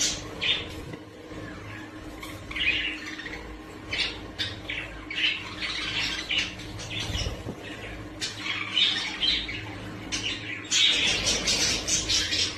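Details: ['Budgerigar chattering continuously with rapid scratchy squawks and chirps, about two per second and irregular, louder toward the end, over a low indoor hum.']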